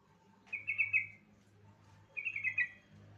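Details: Lure song of a yellow-vented bulbul, meant to set other bulbuls singing: two short, bright, bubbling phrases about one and a half seconds apart over a steady low hum.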